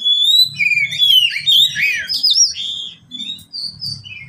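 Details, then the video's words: ['Oriental magpie-robin, a pet bird, in full song meant to stir quiet birds into singing: rich run of rising and falling whistles, trills and squeaky notes, over a faint low hum.'] "Pancingan kacer untuk kacer yang malas bunyi"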